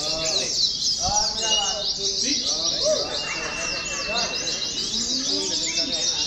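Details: Oriental white-eyes in cages during a mock singing contest meant to train them. Dense, fast, high chirping fills the whole stretch, with brief low thumps and scattered warbled notes underneath.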